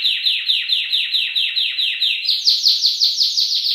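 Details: Canary singing on a masteran recording: a regular run of broad descending notes about five per second, stepping up in pitch halfway through while keeping the same rhythm.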